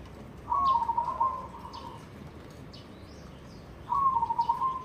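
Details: Cooing song from a white, barred, red-eyed zebra dove. Two rolling, slightly trilled coo phrases, each about a second long, are separated by a pause of roughly two and a half seconds. Faint high chirps sound in the background.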